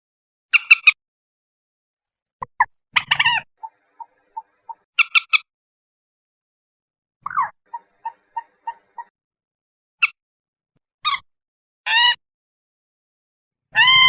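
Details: Varied common moorhen calls: harsh triplets, runs of short soft kek notes, descending croaks and several drawn-out rising, squealing notes. The calls are spread across the whole stretch.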